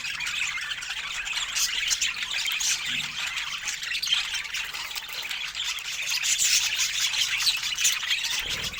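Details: Several budgerigars sharing fruit keep up a steady, busy chorus of high, scratchy twittering and warbled chirps with no pauses throughout.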